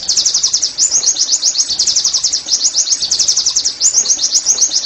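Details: Oriental white-eye 'nembak' song aimed at making caged pleci sing: continuous, very high, buzzy-edged chirps delivered rapidly and evenly, barely pausing across the whole stretch.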